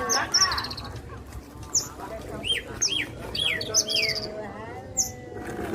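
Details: Javan bushlark (Parva) singing bright hooked whistles that sweep up and down, a few rattling high trills and a soft drawn-out lower warble near the end, low hum throughout.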